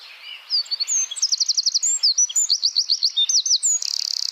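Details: Small wren delivering 'tembakan rapat', a tight rapid-fire song style used as training material for songbirds: very high, quick repeated looping notes in dense runs, closing with a buzzy high rattle.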